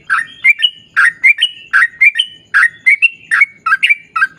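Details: Sooty-headed bulbul singing gacor, the long 'ropel panjang' style used as a lure; dense, warbling chirps overlap with thin whistled tones in a busy, nearly unbroken flow.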